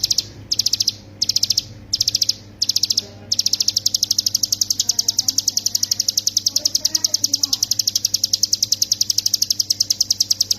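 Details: Continuous rapid song of a hill prinia, recorded as a master for training songbirds. Short clusters of high clicking notes give way to an unbroken fast stream of sharp ticks, over soft background chatter and hum.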